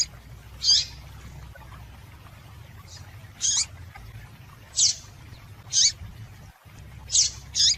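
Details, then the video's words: Female double-collared seedeater giving calls to stimulate males: around seven short, bright, high chirps plus a faint one across eight seconds, irregularly timed, over a steady low hum. "Melhor Piado de Fêmea de Papa capim Para Esquentar Papa capim"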